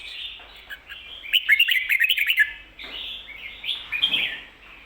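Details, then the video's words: Red-whiskered bulbul doubled-note ko-ta-ra song meant to train caged bulbuls: a fast, loud burst of crisp chirping notes followed by softer rising and falling whistled phrases and a brief second flourish. "โค-ตะ-ระ เบิ้ล เบิ้ลจริงเบิ้ลชัด(ไว้สอนนก)"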